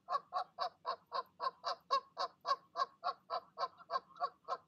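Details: Parent geese calling goslings down from the nest in the evening, recorded 12 05 20: an unbroken series of evenly spaced, nasal honks, roughly three and a half per second, loud throughout.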